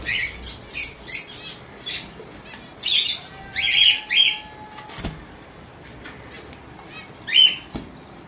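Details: Java sparrows: high chirps and short buzzy, bell-like notes in scattered bursts, some falling, amid rustling wing flaps and a sharp click.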